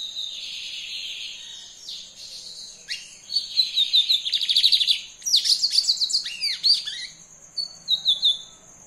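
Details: A brown lined seedeater sings excitedly, stringing buzzy trills together with sharp descending whistled slurs and fast rattling bursts. The song pauses briefly before ending on a few high chirps, with a faint continuous whine behind it.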